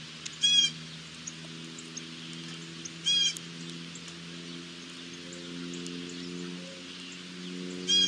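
Carolina wren giving three short, high, rapid rattling bursts a few seconds apart, heard over a steady low mechanical hum.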